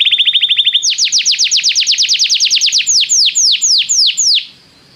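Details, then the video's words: Canary song for prompting a canary to sing: a quick even trill, then a series of loud descending whistled sweeps that slow and spread apart before the song stops. "o som de atrair seu canário para cantar imediatamente"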